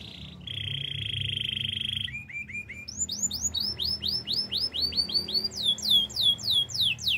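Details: Canary song recorded for training young canaries: a steady buzzy trill, then a short run of low upward-flicked notes, then rapid tours of rising and falling slurred whistles repeated several times a second.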